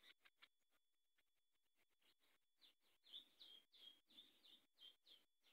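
Variable sunbird giving quick, high, sharp chips and short twittering notes, about three a second, over a faint steady hiss.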